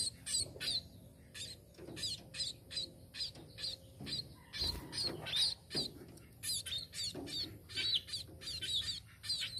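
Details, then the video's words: Tame sparrow calling with bright, high chirps and twittering notes in short, separate bursts roughly every half second, plus a faint low hum. "BURUNG PIPIT"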